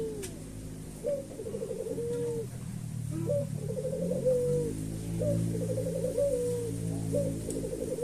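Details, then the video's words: White dove (puter putih), described as gacor, meaning in lively full voice, giving low rolling coos: short trilled bursts ending in a drawn-out note, repeated about once a second over a steady low background hum. "Sound of bird gacor puter putih gacor"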